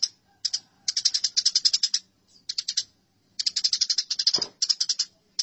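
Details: House sparrows fighting: quick, harsh chattering bursts repeated in close succession. Each is a run of fast, high, dry notes with short silences between.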